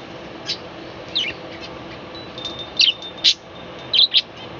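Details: Morning chirping from a balcony colony of budgerigars: scattered sharp high chirps in ones and pairs, with a thin steady whistle tone in between and a constant faint hiss.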